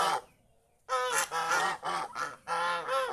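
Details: Geese enjoying fields around a home: a short honk, a pause, then a run of loud, clipped nasal honks in quick succession.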